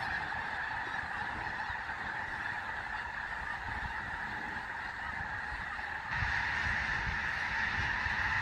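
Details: Evening chorus of a big snow goose flock near Mount Vernon, Washington, settling to roost; constant overlapping honking that grows louder and busier toward the end.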